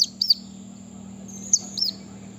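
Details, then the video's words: Brown-throated sunbird giving sharp, high chirps in a few quick bursts, over a steady thin whine and a low background hum. "KOLIBRI KELAPA MANGGAR Burung Malas Bunyi"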